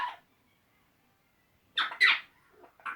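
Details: Pet Eclectus parrots, two males, chatting to each other with silly noises: one short squawk, a silence, then a pair of loud, harsh, scratchy squawks and two softer ones.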